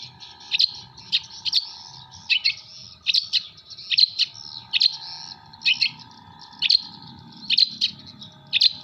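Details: Long-tailed shrike from Jember singing song material that mimics kuntilanak, sparrow and tengkek buto sounds: sharp, high scratchy notes repeated at irregular intervals about once a second over a steady low hum.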